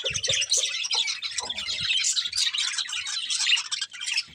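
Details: Breeding pair of colourful budgerigars chirping: a dense, continuous high warble of rapid chirps, twitters and scratchy squawk notes, with a few soft low thumps in the first two seconds.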